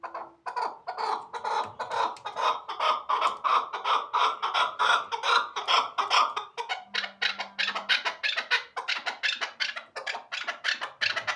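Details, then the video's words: Chukar partridge from Shahritus giving a long run of rapid, rhythmic clucking chuk notes, about two to three per second, rising into a steady chattering sequence with slight variation in pace. "Кабки Шахритуз"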